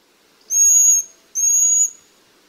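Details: Eurasian Pygmy Owl (Glaucidium passerinum) giving two clear, whistled notes, each about half a second long and steady in pitch, with a short gap between them.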